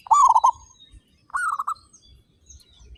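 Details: A loud, rapidly pulsing trilled coo from local zebra doves, 35 birds described as strong singers, followed by a softer, slightly higher stuttered phrase, then quiet.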